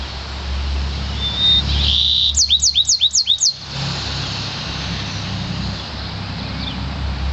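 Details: Yarrell's siskin mule, one year old, bred from an intensive green Fife canary: a brief buzzy note, then five rapid looping high whistles in a tight burst, followed by steady low background rumble.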